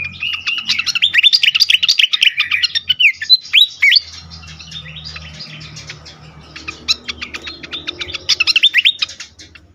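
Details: Agitated fantail, used to lure birds. A rapid tumble of chips and slurred whistles runs for four seconds, then a lull with soft ticks, before another lively burst near the end.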